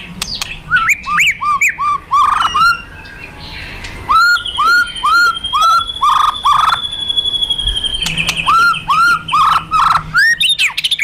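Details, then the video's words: Fighter white-rumped shama with kretekan and tembakan phrases used to provoke another murai: a run of short upward-hooked notes repeated about twice a second, over a thin, steady high whistle and scattered sharp chips. "Kretekan Dan Tembakan Murai Fighter Pancingan Emosi Murai Paling Efektif"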